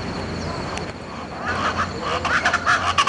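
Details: Speckled chachalaca at Buena Vista Peak in the eastern Andes–Llanos, recorded in June: after a quiet start, harsh, raucous call bursts break in and grow louder and more rapid, over a steady low background hum.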